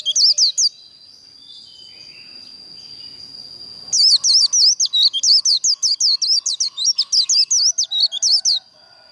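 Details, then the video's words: Contest líu song of a white-eye, used to train and provoke birds to sing: a short opening burst, a quiet pause over a steady high whine, then nearly five seconds of fast, piercing, rolling twitters repeated about three per second. "Vành khuyên líu đấu"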